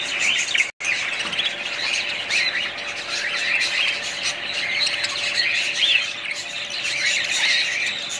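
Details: Budgerigars squawk and chirp in an unbroken, high, scratchy chatter, interrupted only by a momentary dropout near the start.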